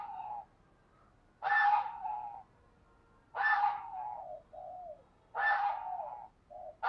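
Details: Caged decoy spotted dove with a fine, well-structured cooing voice, used to stimulate other doves; loud harsh coo phrases come about every two seconds, each opening with a broad burst and trailing into a lower steady tone.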